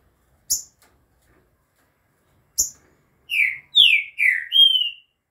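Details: Two sharp clicks precede a green-winged saltator's "bom dia seu Chico" song, taped 11 September at 2:30 pm: three descending slurred whistles followed by a longer level note, delivered as one bright phrase.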